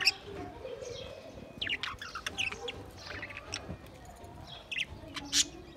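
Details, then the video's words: Budgerigars filmed 28 April 2023 making scattered high chirps and short squeaky notes, loose and irregular over six seconds, with a loud sharp chirp near the end and a soft low background hum. "lovely Budgies birds"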